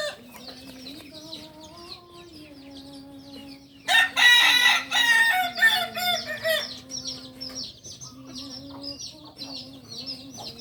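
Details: Kokok Balenggek rooster, the native singing chicken of Solok, West Sumatra, kept on a farm in Solok city: one long, loud, rich crow broken into rapid wavering syllables over about three seconds, with small birds chirping repeatedly before and after.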